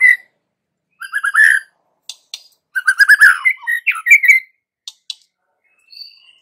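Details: White-rumped shama song used to provoke young forest-caught and pastol birds: short bursts of rich whistled notes separated by silences, with a dense, rapid, warbling phrase in the middle and a thin high whistle near the end.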